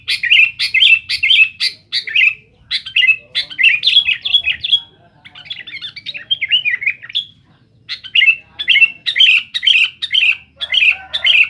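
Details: Sooty-headed bulbul singing noisily and persistently to challenge rivals: bursts of harsh, chattering notes with quick descending slurs, tumbling in rapid runs with a brief pause midway, faint low hum beneath.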